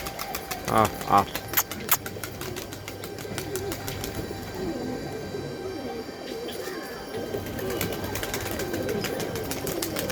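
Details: Low pigeon coos, murmured and rolling, build from midway and carry on steadily to the end. A brief higher sound and scattered clicks come near the start, over a constant background hum.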